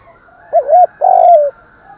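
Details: Morning lure call of a decoy spotted dove meant to draw in and challenge wild birds, a single clear phrase: short undulating double coo followed by a drawn-out, slowly falling low coo.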